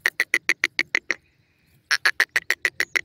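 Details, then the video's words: Partridge calling with a fast train of sharp, evenly spaced clicking notes, about three per second, broken by a short pause before the series resumes. "the Beauty of Cute Partridge Calls,awaz bird teetar"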